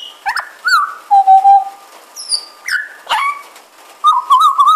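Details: A pied butcherbird sitting on a porch in the rain mimics other animals such as magpies, koels, babblers and dogs in a quick medley: sharp rising sweeps, clear whistles, nasal yelping notes and fast warbled trills.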